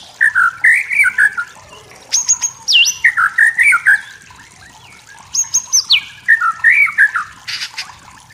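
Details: Wild white-rumped shama in forest, singing to goad rivals: two long phrases, each of quick warbled notes capped by a piercing high whistle that drops sharply, with a pause between the phrases.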